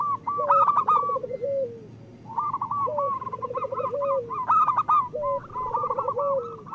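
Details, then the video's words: Local zebra doves in chorus, a recording used to prompt lazy birds to sing. Several overlapping coo phrases: a low rolling trill rising into a drawn-out level note that drops at the end, under higher stuttering coos. "Perkutut lokal gacor Masteran Perkutut Suara Kristal"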